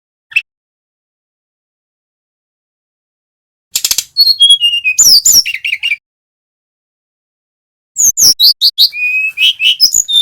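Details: Male brown-chested jungle flycatcher from Bali, singing continuously as a lure recording to prompt silent birds to sing. A brief high note, then two bursts of rapid, varied high whistles and buzzy chips separated by long silences.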